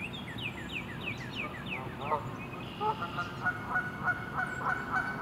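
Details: Canada Geese in winter at the west bay of Lake Conestee Nature Park honk: a quick run of falling, squeaky notes, then a steady string of nasal honks about three per second, with a low background rumble.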